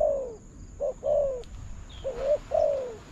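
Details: Coos from a spotted dove answering a decoy during trapping: two rounds of a brief low note followed by a longer, smoothly falling coo, loud and close against a quiet background.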